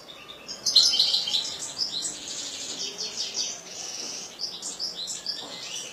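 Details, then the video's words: European goldfinch kept in a cage, its song a fast run of bright tinkling notes and short buzzy trills, with a sharp loud phrase near the beginning followed by steady chattering. "حسون رقم 2"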